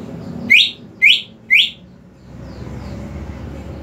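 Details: Greater green leafbird, a lure recording meant to prompt a silent bird to sing: three bright descending whistled notes about half a second apart, high pitched, followed by faint softer notes and low background hum.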